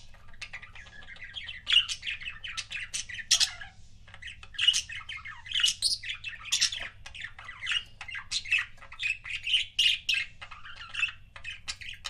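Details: Budgerigar couple kept as pets producing long, unbroken chatter: rapid buzzy chirps, warbles and frequent loud squawks, with a brief lull just before the four-second mark.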